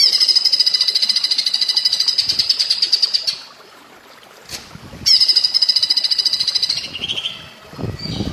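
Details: Cucak ijo, or greater green leafbird, in platuk bawang style, with a water background. Two long bursts of high, rattling, machine-gun-like notes are separated by a quiet gap. A lower note and soft low thumps follow near the end.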